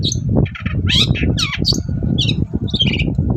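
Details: Long-tailed shrike in lively morning song, played as a lure to provoke other shrikes into answering; rapid scratchy squeaks and buzzy chirps tumble together with varied pitch, backed by constant low-pitched rumble.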